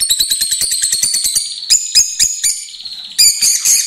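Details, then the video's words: A pair of lovebirds singing loudly while kissing and exchanging food: a fast run of sharp, high chirps, about a dozen in quick succession, then a few louder squeaky notes and a final burst of shrill chatter. "Gli inseparabili | 20minutes Love birds Sound"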